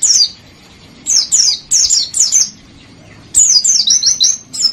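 An Oriental white-eye sings high, thin twittering phrases of quick falling notes, delivered in short bursts with brief pauses between them.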